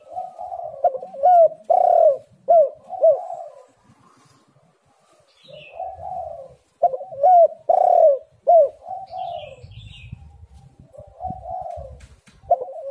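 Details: Spotted dove calls as a lure for lazy birds: repeated phrases of loud, rounded coo notes separated by softer cooing and a brief quiet gap, with low rumbling background noise.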